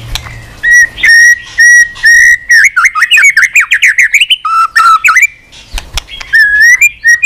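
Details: White-rumped shama singing tirelessly and nonstop, flicking its tail on the perch, with many unusual voices: loud clear whistles, a long rapid run of rising and falling slurred notes, then low fluty phrases and sharp clicks.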